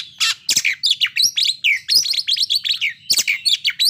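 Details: White-rumped shama, a kept songbird, singing a varied rapid string of sharp chirps and sweeping whistled notes mostly high-pitched, with clicky broadband notes between, used to provoke breeding condition and aggression in other birds.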